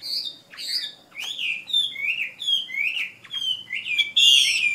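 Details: Female Chinese hwamei of Vietnam's Northwest singing a rapid, continuous run of fluid slurred whistles that rise and fall, several notes a second, ending in a louder, fuller phrase.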